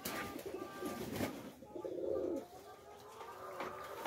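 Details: A pigeon bathing gives low, soft, throaty coos in two drawn-out phrases, with light splashing of water.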